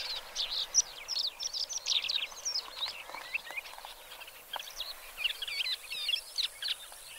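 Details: Black lark singing a dense, hurried medley of sharp chirps, buzzy twitters and brief whistled slurs that runs without pause through the whole stretch against a quiet outdoor backdrop.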